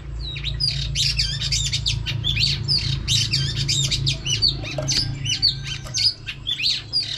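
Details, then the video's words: Female oriental magpie-robin singing to excite a male, with continuous scratchy chatter and quick whistled notes over a steady low droning hum throughout. "chòe than mái HUÝT KÈM THÚC TRỐNG.chòe than mái kích trống căng lửa.chim chích chòe than mái hót"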